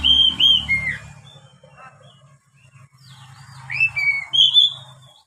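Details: Oriental magpie-robin song played to train young captive birds: clear whistled notes, some sliding downward, in two short phrases with a quiet gap between, over a low electrical hum.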